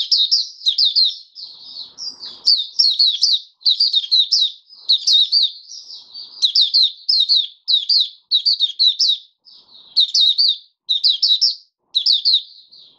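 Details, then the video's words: Oriental white-eye in a cage, open song five days after its monthly deworming, January 2022: long, steady series of sharp, high chirping phrases with short gaps, very little other sound. "Mata Puteh Raja Video 1 buka sing"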